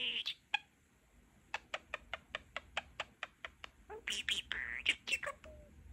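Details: Pet male budgerigar indoors chattering: a steady run of about twelve sharp clicks roughly every fifth of a second, then a burst of buzzy, squeaky mimicked speech syllables toward the end.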